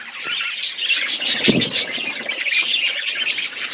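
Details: Colony budgies in a short burst of continuous chirping chatter, high squeaky warbles overlapping, with a brief lower squawk near the middle.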